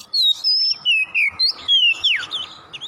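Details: Vigorous Oriental magpie-robin (kacer) song serving as a tutor recording to prompt other birds to sing. A rapid string of about ten bright whistles includes long level notes and sharp downward sweeps, ending in quieter chips.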